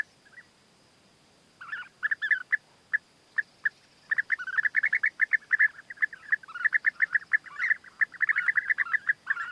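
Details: European bee-eaters, a male winning the female's favours with food gifts in courtship; rolling, liquid trilled calls repeated in quick series, growing denser and more continuous toward the end, over a faint steady high hum.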